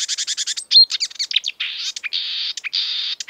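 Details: Energetic marsh warbler, known for copying European and African birdsong, pouring out rapid clicks, a pure whistle and long buzzy rasping phrases in a continuous jumble.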